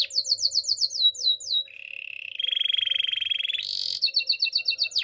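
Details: Spanish Timbrado canary singing for training: quick falling whistled notes, then a long low metallic rolling trill, a harsh buzzy burst, and a fast run of bright clipped notes.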